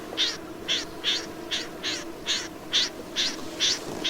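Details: Snipe uttering a regular run of short, scratchy, rasping notes, roughly two per second, over a faint low hum.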